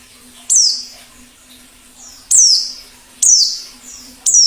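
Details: Wild white-eye, plengi ngalas song used to stimulate singing and attract wild birds: single high, piercing notes sliding steeply downward, each followed by a softer echo-like tail, roughly one per second.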